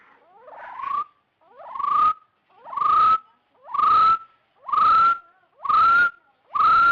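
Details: Rufous-throated partridge call used to lure birds into traps: a series of rising whistles, each sliding upward and ending on a sustained note. Roughly one per second, growing slightly louder through the sequence.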